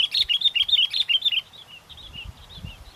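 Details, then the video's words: Sooty-headed bulbul calling vigorously in strong wind at a bird-luring spot: a fast chattering series of clear, bouncy chirps lasting over a second, then softer distant answering notes, with light wind thumps. "pikat kutilang walaupun angin kencang tetap gacor"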